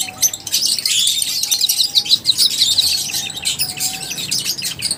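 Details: Group of lovebirds giving rapid, shrill chirps, about three per second, in a busy overlapping chorus of high twittering squeaks, with a faint, quiet lower whistle now and then.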